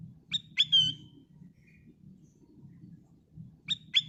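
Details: Lure song of a golden sooty-headed bulbul, meant to set other birds singing: a crisp note pair and a drawn-out descending whistle, repeated about three seconds later, above a steady low hum.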